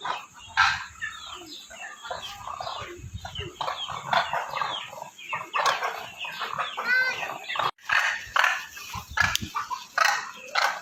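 A flock of demoiselle cranes calling together in dense, overlapping bursts of rolling, croaking trumpets, some rising and falling, with no pause between callers.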